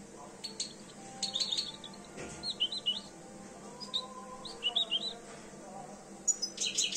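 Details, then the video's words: Two-year-old European goldfinch coming into breeding condition, giving scattered bursts of high twittering and tinkling notes with short gaps, ending in a brighter, denser burst. "jilguero empezando a encelarse"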